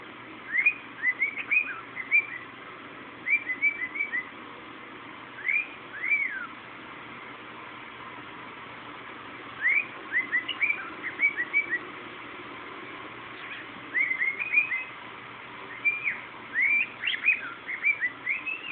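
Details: A pet cockatiel named Dodo, a male, sings bursts of clear whistled notes that rise and fall in quick phrases; he likes to sing to a paper towel and also does a wolf whistle.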